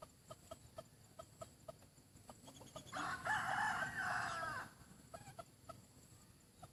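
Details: Crowing from a handsome decoy chicken said to have a very good voice: quick clucks at a steady pace lead into a loud, harsh, drawn-out crow of about two seconds, then the clucking resumes.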